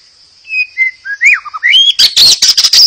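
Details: White-rumped shama singing to prompt other birds to sing: soft whistled notes stepping down in pitch, a few rising slurs, then a loud burst of rapid, harsh, high chattering phrases.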